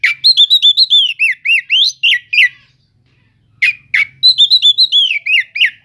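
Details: [1, 'yes', 'song', "Oriental magpie-robin (kacer cele'ngan) singing as a lure to provoke slow-to-react magpie-robins: rapid run of loud, clear whistled notes, many rising or looping, about three to four a second, a brief pause, then the fast whistling resumes."]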